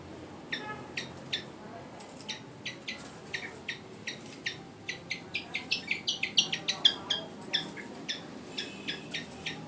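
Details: One-year-old Javan flycatcher in singing training, giving a rapid series of short sharp high chirps and ticks, irregular but almost continuous, speeding up in the middle, over faint background noise.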